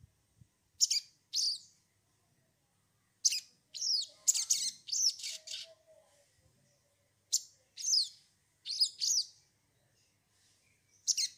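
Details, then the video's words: Lure recording of a sogon: scattered bursts of high, sweeping chirps separated by pauses of a second or more, with one busier, chattering cluster in the middle. "pancingan sogon bahan agar bunyi"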